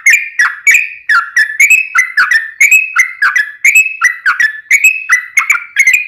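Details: Continuous rapid song of a yellow-vented bulbul: short bubbling whistles falling and rising, repeated at an even pace throughout, with no pauses.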